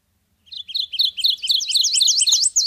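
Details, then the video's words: Subalpine warbler (Sylvia cantillans) song opening with a run of twittering slurred notes that builds into louder, repeated sharp V-shaped whistles. A faint low rumble sits underneath. "Canto da AveToutinegra carrasqueira (Sylvia cantillans)"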